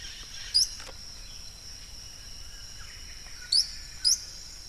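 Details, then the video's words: Yellow-browed Tody-Flycatcher, recorded in El Escondite Natural Reserve, Colombia. It gives three brief, high, sharp chip notes, one early and a close pair near the end, over a steady insect hiss. "Yellow-browed Tody-Flycatcher and its Sound"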